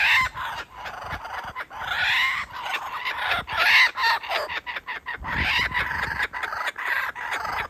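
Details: Dad kookaburra teasing and then feeding a chick: raucous laughing call built from rapid choppy bursts, swelling to loud peaks around the middle and continuing in ragged pulses to the end.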